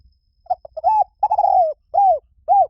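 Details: Spotted dove song: quick low pips build into a sustained, slightly vibrating coo that slides downward, followed by two clean, arched final coos.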